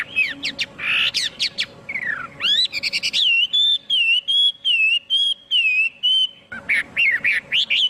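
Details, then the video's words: Chinese hwamei song opening with harsh chatter and steep whistled slurs, then a string of ringing, wavering whistles repeated about twice a second, ending in quick rising notes. "Tiếng chim hoạ mi hót không tạp âm"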